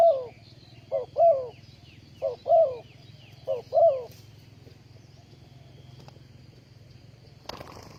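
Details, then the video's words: Spotted dove serving as a ground decoy in bird trapping, 20 April 2020: three paired coo phrases, short note plus longer falling coo, over the first four seconds, then quiet with faint distant high chirps, low hum and a sharp knock near the end. "Bẫy Chim cu gáy bằng mồi đất cực đỉnh"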